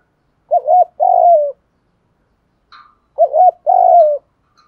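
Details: Lure calling of a spotted dove aimed at wild doves: two phrases, each a quick double hoot followed by a long, smooth, descending coo, with a faint higher chip between them.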